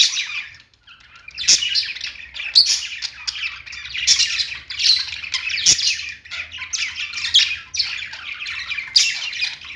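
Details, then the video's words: Budgies singing together on a perch, a continuous chattering warble of buzzy chirps and squeaks with occasional sharp clicks and brief quiet gaps. "budgies singing on perch"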